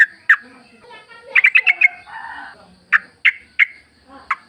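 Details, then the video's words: Sooty-headed bulbul song offered as a lure for caged birds: isolated sharp chirps and a short quick series of notes, over faint lower tonal sounds in the background. "trucuk gacor ngalas full suara alam ampuh buat pancingan agar bunyi"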